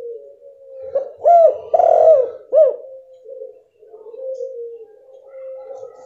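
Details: Female spotted dove call meant to stir a silent male; one clear three-note coo phrase with a long, rough middle note, followed by quiet, low, wavering murmuring.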